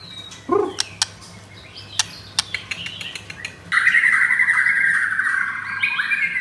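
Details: Caged white-rumped shama of the pastel blorok variant pitted against a rival bird; a few sharp clicks and ticks, then a loud sustained run of bright whistled and warbled notes.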